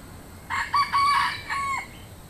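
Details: A single countryside cock crows, a ringing, raspy cock-a-doodle-doo. Clipped opening notes run into a strong sustained middle and a long, fading final note, all over quiet steady background noise.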